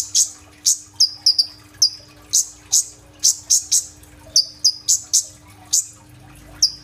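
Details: Energetic kolibri ninja sunbird singing for a lure recording on an Oppo A37f phone: crisp very high chirps spaced about half a second apart, some doubled, with brief whistled tails.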